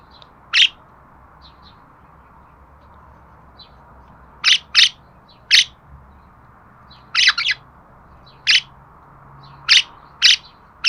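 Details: Budgerigar sounds intended for pet budgies: short, sharp, high chirps in isolated bursts, sometimes paired, spaced irregularly across a quiet background with faint low hum.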